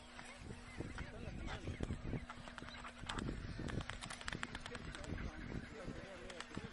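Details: Chinstrap penguins fighting on the Antarctic Peninsula: a dense run of sharp slaps and knocks with short, rough squawking calls woven through, against a steady low hum.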